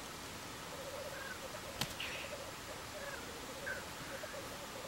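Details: Two male Black Grouse fighting give a low, dove-like bubbling in rolling phrases of about a second; a sharp click and a few faint higher notes sound over steady background hiss.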